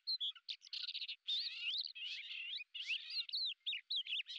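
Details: Lesser grey shrike, a hunting bird that hovers in place, gives a fast chattering warble of scratchy notes and twisting whistles, broken by short gaps, with no other clear sounds.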